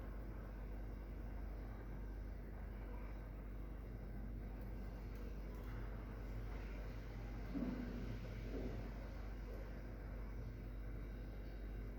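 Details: A continuous low vehicle rumble fills the background, like distant road traffic or an engine hum. No bird or other animal call stands out above it.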